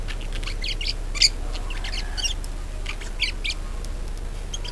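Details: Budgerigar warble used to encourage other budgies to sing: soft, steady chattering chirps throughout, with one brief sharp squeak, over low background hum.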